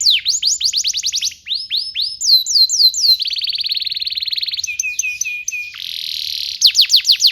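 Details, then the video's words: Canary tutor song for young canaries: groups of sharp descending whistles, a bright buzzy roll lasting over a second, short repeated two-part notes, a harsh rasping trill, then loud sweeping whistles. "PANCINGAN KENARI GACOR DURASI PANJANG UNTUK MASTERAN KENARI PAUD BELAJAR BUNYI DAN GACOR"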